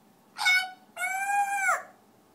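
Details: Pet African grey parrot singing indoors: two loud, richly harmonic whistled notes, a short one then a longer held tone that drops sharply at its end.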